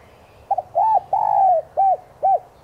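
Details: Spotted dove used as a lure call to provoke other doves into cooing: a low, soft coo phrase of a short double note, a rounded hoot, a long drawn falling coo, then two clipped hoots.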